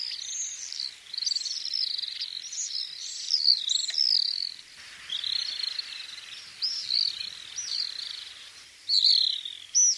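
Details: Common swifts giving high, shrill screaming calls in long wavering bursts, several overlapping, with short pauses between rushes.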